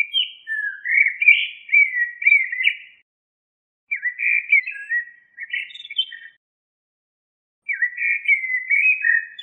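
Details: Three warbling phrases from a common blackbird, each a few seconds long and separated by pauses of about a second. The phrases are quieter and fluty, with twisting whistled notes and some scratchy twittering.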